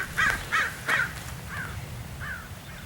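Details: Raven giving three loud rasping caws in quick succession, then two softer, downslurred calls trailing off, over low outdoor background noise.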